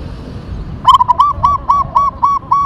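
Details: Local zebra dove of the Tumbak Cucukan katuranggan type in full song: a single phrase of two quick stuttering notes followed by about six soft, rolling coos at a steady pace, quiet background.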